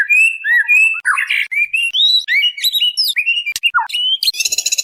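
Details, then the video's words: Female white-rumped shama calling the male, lure recording: clear high whistled notes and slurs, some rising, with brief harsh notes and a buzzy burst at the end. "SUARA MURAI BATU BETINA MEMANGGIL JANTAN"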